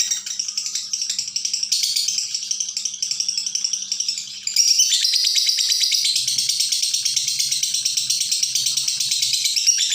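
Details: Long nonstop lovebird chatter used for tutoring: rapid high, scratchy rattle of tightly packed notes, quieter and patchier at first, then louder and fuller from about four and a half seconds on, with faint low thumps in the room.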